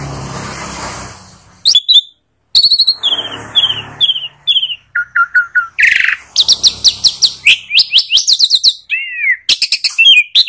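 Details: After a stretch of low background hiss, Asian pied starling breaks into descending whistles, repeated clear notes and long fast series of high chirps.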